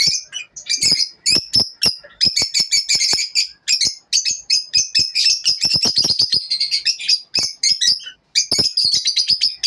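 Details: Lovebird morning chatter in bursts: sharp squeaky chirps and clicks, stretches of rapid buzzy twittering, and brief pauses between phrases over nearly ten seconds.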